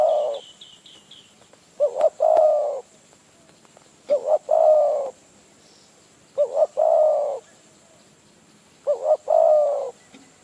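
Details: Spotted dove, wild, responding to a decoy in Phrae, Thailand. A regular pattern of two quick notes and a long mellow coo repeats roughly every two and a half seconds. A short run of high chirps opens the recording.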